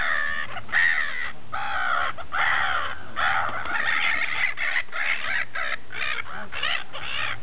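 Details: Gulls feasting at Repino, near St. Petersburg, a noisy chorus of raucous, harsh, repeated calls overlapping almost continuously, short gaps between bursts, with low rumbling underneath.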